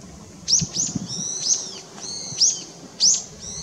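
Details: Long-tailed rosefinch, male and female, recorded 20 December 2016: loud, high, clear whistled notes, some sharply falling, others drawn out and slightly arched, given in a quick run of about seven calls, background otherwise quiet.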